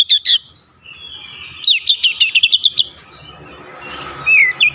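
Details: Oriental magpie-robin performing 'shooting' song: a few sharp chirps, a steady faint whistle beneath, then a string of quick downslurred notes and later scratchy twittering with a sliding whistle.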